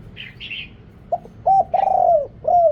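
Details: Spotted dove decoy calling wild birds, recorded with noise removed: two soft high chirps from another bird, then short deep coos building to one long, drawn-out, slowly falling coo and a final hollow note.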